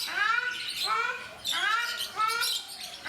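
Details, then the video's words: Captive ruddy shelducks, also called Brahminy ducks, at Mysore Zoo, India, giving loud nasal honks with rich harmonics, about four rising-and-falling calls in three seconds, delivered in uneven bursts. "Cute Ruddy Shelducks / Brahminy Ducks Making Sounds At Mysore Zoo"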